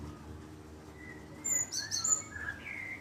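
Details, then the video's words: Java sparrow calls played to lure a reply: a cluster of sharp, very high chirps in quick succession, with softer lower whistled notes drifting beneath and a quiet background. "Pancingan burung glatik 1 menit pasti bakal nyaut!!!"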